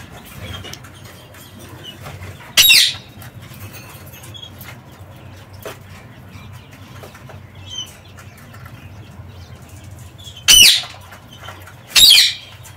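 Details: Parakeets free in an aviary: three loud, harsh screeches, the first near three seconds and two close together near the end, over a quiet background with faint soft chirps between them.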